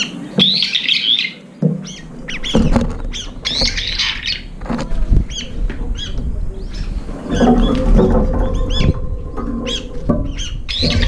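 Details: Several brown-eared bulbuls crowd a nearly empty feeder for a late meal, squabbling and flying up as rivals approach; harsh, squeaky calls come in quick bursts over thumps and low rumbling from the feeding birds.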